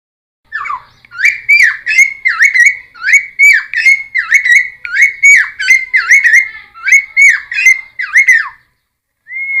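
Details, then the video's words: Cucak timor song played to attract wild birds and teach them its variations: a long, steady series of dipping, whistled notes with sharp overtone clicks, repeated roughly every half second for about eight seconds. "Cucak Timor Gacor Full Isian MP3 Untuk Pancingan Burung Bahan"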